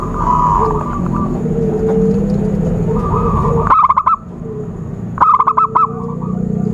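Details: Zebra dove calls for luring birds into traps. After a stretch of murmuring, overlapping coos, two loud, rapid staccato bursts ring out about one and a half seconds apart.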